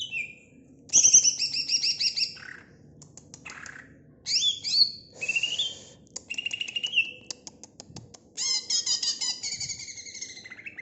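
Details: Loud, varied song of a greater green leafbird, mixing clear sliding whistles, buzzy trills and quick ticking notes in shifting phrases.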